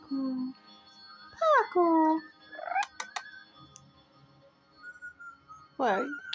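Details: A pet double yellow-headed Amazon sings to its owner indoors at the end of the day, when it has her attention alone: soft, tonal, warbling phrases, a low note, a falling harmonic warble, a few sharp clicks, then a rising-falling call.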